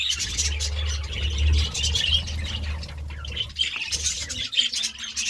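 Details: Budgerigar chirping in the morning: high chattering and squeaky notes over a strong low hum, turning sparser and sharper toward the end.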